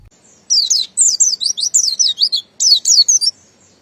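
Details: Buxton's white-eye singing in the long, continuous ngalas style, used as daily playback to train untrained birds: clean, high, thin whistled notes sliding downward, strung into rapid bursts of chattering phrases, with brief pauses and no other sounds.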